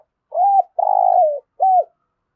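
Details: Spotted dove giving a full Thổ-voice coo phrase meant to stimulate captive birds to call and fight: a short arched note, a long tremulous coo sliding lower, then another short arched note.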